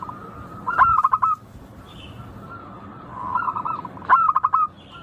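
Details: Song of a local zebra dove: two bright bursts of fast, staccato cooing notes about three seconds apart, with a softer, murmured trill rising between them.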